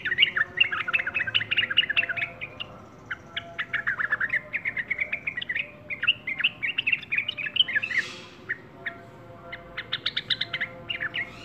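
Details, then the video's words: Long lively run of chirps and twittering phrases from a yellow-vented bulbul, dense clusters alternating with brief gaps, plus a short rushing noise near the end. "TRUCUK YG RAJIN BERKICAU"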